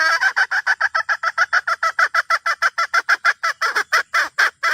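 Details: Continuous run of about thirty fast, harsh clucks, slightly uneven in spacing, from a red junglefowl hen calling the rooster.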